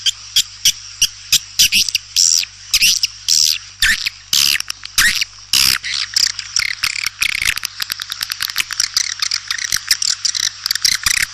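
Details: Swiftlets calling with a rapid series of dry, clicking chirps and high twittering bursts, densely packed and growing faster toward the end, over a steady low hum.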